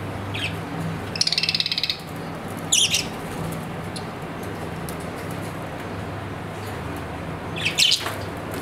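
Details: A pet budgerigar gives a few short squeaky calls. A raspy burst lasting under a second comes near the start, and a steady low hum runs underneath.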